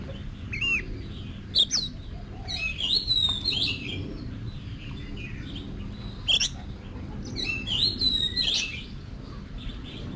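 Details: Oriental magpie-robin in training for song competitions: scattered whistled and slurred phrases with sharp clicks, separated by gaps, over a steady low background hum.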